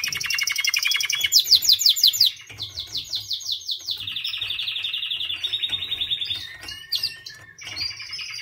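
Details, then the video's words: White canary song: a sequence of rapid trill tours, each a run of quickly repeated notes at a different pitch, ending in scattered short chirps and whistles. "White Canary Singing 🎶 Kanarienvogel Gesang"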